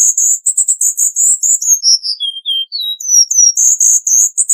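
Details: Cuban bullfinch singing in the dense-burst 'tembakan rapat' style for tutoring: thin, very high whistled notes in quick runs, gliding steadily downward in pitch mid-phrase, then jumping back up to rapid repeated high chips.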